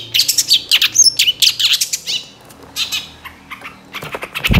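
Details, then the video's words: Long-tailed shrike song used to provoke other shrikes into singing: a rapid string of harsh, high, chattering chirps and squeaky notes, fading to sparser calls, ending with a low thump. "PANCINGAN CENDET SUSAH BUNYI LANGSUNG NYAUT DAN IKUT GACOR DENGAR SUARA CENDET INI"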